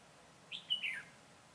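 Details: Red-whiskered bulbul decoy at a bird trap, 22 September 2017, giving a single brief phrase: a clear whistle followed by a quick, falling, warbled run of notes.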